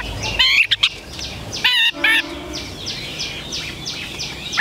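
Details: Caged Chinese hwamei giving a few loud, sharp whistled phrases with harmonics, then a run of fainter repeated slurred notes over a soft, noisy background.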